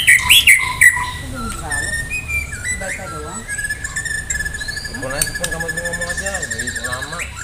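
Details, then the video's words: White-rumped shama from Medan in full varied song, ready for a singing contest: bright whistled notes and quick phrases, a long steady whistle near the end, with faint background noise. "murai batu medan gacor siap ikut lomba"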